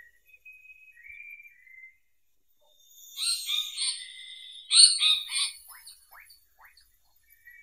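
Indian paradise flycatcher: a few thin whistles, then a burst of harsh, buzzy chattering notes and several quick downward-slurred chips.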